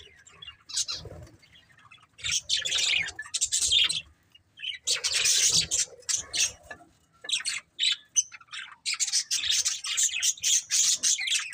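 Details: Pet budgerigar breeding pair chattering in irregular bursts of fast, high, scratchy chirps, separated by short silent gaps.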